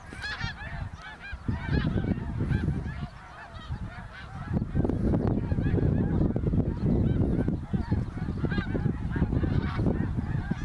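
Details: Greater snow geese migrating over Ottawa, Canada, in fall 2021, in huge numbers. Many distinct nasal, arched honks come in rapid overlapping bursts, about three to four per second, over a heavy low rumble of wind.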